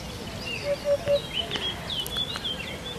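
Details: Hoopoe giving three mellow, low hoots in rapid succession, with other small birds chirping and whistling higher at the same time against light background noise.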